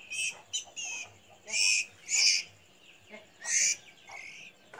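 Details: A White-rumped Shama fledgling begs for food while an older female sibling feeds it in a hanging cage at a breeding aviary: harsh, hissy, high-pitched begging bursts about a second apart, with fainter chirps between.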